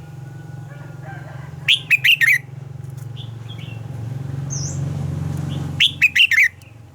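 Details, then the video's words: Morning song of a red-whiskered bulbul, described as a mature forest-style double-note song used to train other birds. Two crisp phrases of four rapid whistled notes come about four seconds apart, over a loud low rumbling background. "Luyện giọng cho chào mào hót sáng - Hót hay nhanh lửa, chào mào hót âm kép già rừng hay tuyệt!"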